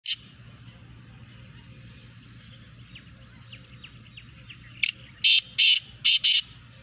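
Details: A black francolin gives a loud, harsh, grating call: one sharp note, then four rasping bursts in quick rhythm, after faint chirps from small birds.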